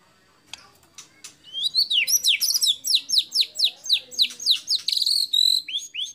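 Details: White-rumped shama delivering competition song with mimicked fill-in phrases favoured by judges: after faint clicks, a loud run of high, downslurred whistled notes repeated about four per second, closing with rising sweeps.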